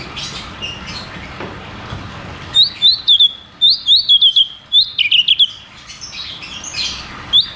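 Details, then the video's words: Cucak cungkok song, rolling 'ngeroll tembak' style, used to coax silent caged birds into singing: after a quiet start, a rapid string of sharp whistled notes comes in bursts, about a dozen in four seconds. "Therapy dan Pancingan Burung Macet Bunyi || Cucak cungkok Ngeroll tembak"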